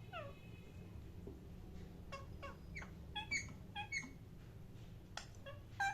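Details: Parrot chirping: a string of clear, whistled chirps with sharp downward and upward slurs, loosely spaced, over a low indoor hum.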